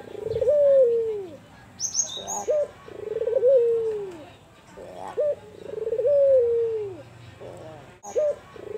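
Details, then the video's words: Repeated kuwor besar coos from an albino Barbary dove. Bursts of clipped introductory notes alternate with long, soft coos that rise slightly and then fall away, about three per nine seconds. There is a faint high chirp nearby. "Suara Empuk Burung Puter Albino Kuwor Besar Emosi"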